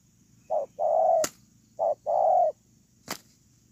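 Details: Decoy spotted dove kept on the ground, 8 October 2018, giving two mellow coo couplets, a short note then a drawn-out one, with a couple of sharp clicks between and after them.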